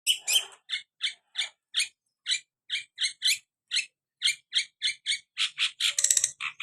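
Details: Long-tailed shrike of the Madura type, singing actively: a series of short, harsh, buzzy notes at roughly three per second, ending in a rapid rattling burst.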